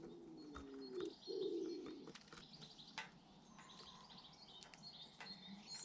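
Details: British garden birds watched at a garden feeder: two long, steady low cooing phrases in the first two seconds, with thin high chirps and brief whistled notes scattered over a quiet outdoor background.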